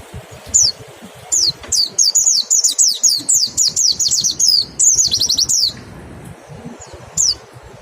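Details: Mountain white-eye song serving as a lure to trigger singing: a few high sliding whistles, then a fast, continuous four-second stream of sharp twittering notes, ending with one last isolated whistle.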